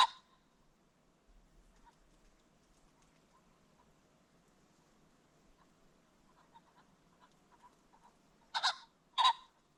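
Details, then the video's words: Ring-necked pheasant along a creek bottom at sunset: quiet background with faint notes, then a loud grating two-part squawk near the end. "The Sounds of the Ring-necked Pheasant"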